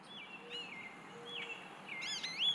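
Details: American goldfinch singing in an Eastern Red Bud tree: soft slurred whistles near the start, then bright twittering, warbled notes with quick rising and falling sweeps toward the end, over a low steady hum.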